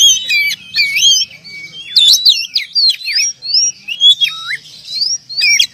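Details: Oriental magpie-robin, a champion contest bird with past wins, delivering rich whistled phrases with sweeping slurs, some rising and some falling, mixed with short sharp notes and brief pauses.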